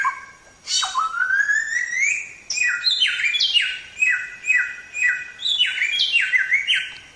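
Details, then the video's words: Chinese Hwamei, locally Samyong, in gacor song for training songbirds: a long rising whistle followed by rapid repeated loud descending notes in quick succession. "Suara Burung Samyong | Gacor"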